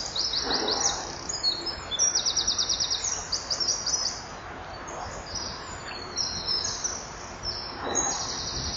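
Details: Female common kingfisher at a breeding-wall nest camera, 9 July 2015 at 09:11, chipping before the male returns to mate; rapid series of high, sharp chips in bursts, with quieter scattered notes between and a faint low background hum.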